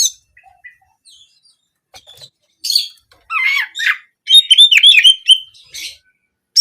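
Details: Kacer (Oriental magpie-robin) singing in canary-imitating 'nembak kenari' style, used to encourage daily and contest singing; short bursts of sharp whistles and buzzy notes separated by pauses, ending in a rich run of varied chirps.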